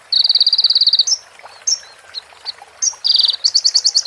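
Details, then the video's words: High buzzy trill from a crimson sunbird (konin) training recording filled with prenjak and ciblek phrases, followed by scattered short whistled notes and then a quick series of sharp chirps. "MASTERAN KONIN FULL ISIAN PRENJAK BETINA SAMBUNG CIBLEK BREN JERNIH JEDA ORIGINAL DARI SUARA KONIN !"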